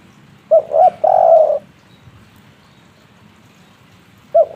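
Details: Spotted dove of the 'kuk 3' local type: a short note and a coo run into a long burry coo, followed by a long silence and the start of the next phrase.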